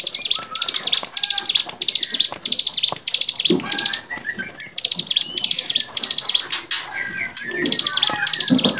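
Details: Bar-winged prinia (mountain ciblek) singing a varied song on a training recording for songbirds: rapid, high, buzzy trilled bursts repeated about twice a second, with short gaps, mixed with scattered whistled notes from other birds.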